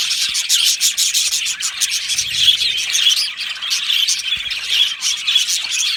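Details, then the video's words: Aviary colony of budgies chattering together, a thick wash of shrill chirps and buzzy warbles that rise and fall in loudness without a break. "Beautiful Budgie singing and chirping sounds"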